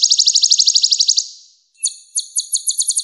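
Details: Kolibri ninja, the purple-throated sunbird of Java, in masteran style: a quick, ringing, high trill fades away, then after a short pause comes a sparser series of sharp, high chirps.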